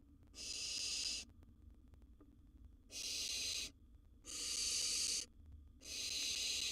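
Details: Barn owl owlet, wild, at its nest box with a big gerbil prey item: four loud, rasping hiss-screeches of about a second each, spaced at fairly even gaps, with faint low background hum.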